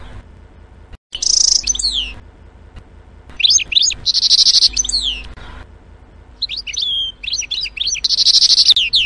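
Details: A European goldfinch, a regular visitor to garden feeders, gives three bursts of bright, tinkling twitter. Each burst is a quick jumble of high liquid notes and buzzy trills, with short pauses between bursts.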